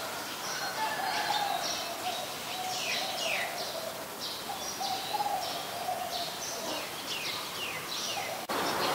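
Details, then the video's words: Adult zebra dove in Ubon Ratchathani, Thailand, 13 May 2022. Low, soft, rolling coo phrases repeat through most of the recording. Frequent high, quick chirps from other birds and constant rural background noise accompany it, with a brief click near the end. "นกเขาชวา (Zebra Dove)"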